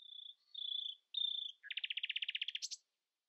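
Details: Early-morning common nightingale song meant to outsing others: three long steady whistles, then a quick pulsing trill of about a dozen notes, ending in a sharp high flourish.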